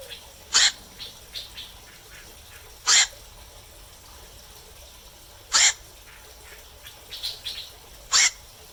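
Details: Black-crowned night heron at night uttering four rough, clipped squawks spaced two to three seconds apart, with softer scattered clicks and faint calls in the quiet gaps.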